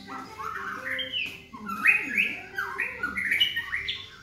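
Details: A young (about 3.5 months, juvenile plumage) black-legged Medan white-rumped shama at a house in Jogja sings loud, rich whistled phrases that sweep up and down, with quick repeated rising notes over a faint background hum.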